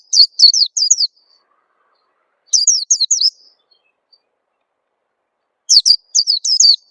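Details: Three separate bursts of quick, high, descending chirps, each about a second long with silent pauses between: an Oriental white-eye lure call used to coax young birds into singing fast.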